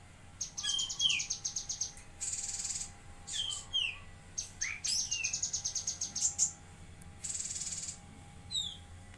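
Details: Lesser green leafbird (cucak kinoi) from Jambi in active song: rapid pulsed ticking runs alternating with hissing buzzes and descending whistled slurs, phrases separated by short pauses.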